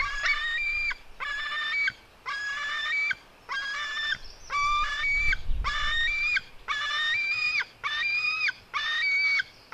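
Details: White-tailed eagle eaglets, sister and brother, fighting: bursts of high squealing notes, each run about a second long, repeated roughly every second with short silences between.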